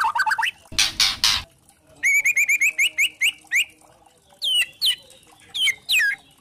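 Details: White-rumped shama song meant to provoke other shamas: a harsh noisy burst, then rapid ringing rising notes and loud downslurred whistles separated by short pauses.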